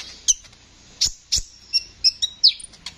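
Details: Sunbird (Kolibri ninja) in lively continuous song, used as a tutor recording for songbirds: sharp high chirps and short whistled notes, about eight sparse bursts over three seconds, some slurred downward.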